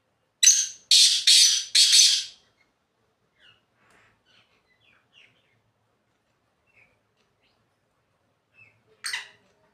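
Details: A black francolin calling from the top of a rock gives a loud, harsh grating phrase of four rasping notes, then a few faint chips and one more rasping burst near the end.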